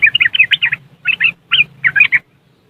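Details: Short riwikan phrase from a yellow-vented bulbul, recorded with an Android phone in West Java, Indonesia, as a singing lure for caged birds: a quick run of twisting, whistled chirps, then three brief clusters before falling silent.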